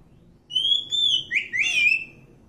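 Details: Quieter wild Oriental magpie-robin phrase: a long level whistle followed by two upslurred, rolling notes, with gentle background noise.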